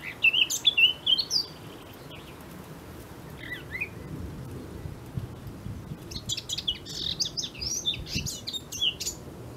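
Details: Eurasian blackcap singing: a few clear whistled notes at the start, a brief quiet gap with scattered chirps, then a dense, fast, high warble toward the end.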